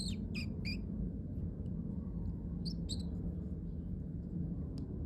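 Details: Pet parrotlet giving cute sounds: a quick run of three sharp high chirps at the start, then a second pair near the three-second mark, against constant low-pitched hum.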